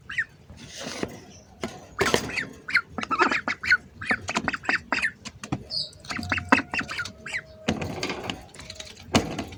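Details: Hungry ducks up close, giving a dense run of harsh squawks and nasal quacks in rapid, irregular bursts that overlap throughout, with a few brief higher notes between.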